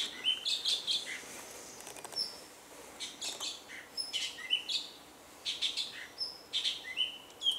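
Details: Male Orange-bellied Leafbird at Doi Inthanon, Thailand, in high-altitude forest, singing between bouts of feeding on fruit; a song built from mimicry of other birds. Loud bright whistles and chattering notes come in short clusters separated by brief pauses.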